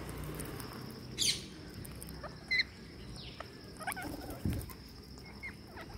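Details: Green parakeet during feeding gives a harsh, high screech, then a shorter sharp squawk a second later, with scattered faint chirps and a low rumbling background.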